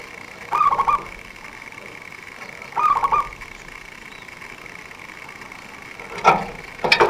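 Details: A local zebra dove, kept as a lure for bird trappers, gives quick, tight rolling coo phrases repeated every two seconds or so. Sharp clicks and knocks follow near the end, with a constant thin hum behind.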